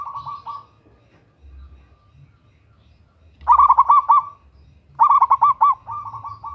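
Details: Local zebra dove female calling the male, played as a lure: loud rolling coo phrases of quick bubbling notes, the last followed by a softer trilled run, with steady low background rumble.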